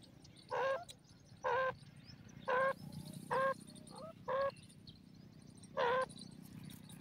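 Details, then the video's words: Grey francolin (teetar) calling: loud, harsh, rich notes repeated about once a second, six notes in all, each short and ringing, over a low steady background hum. "joshela teetar sound, teetar ki voice, teetar birds ke awaz"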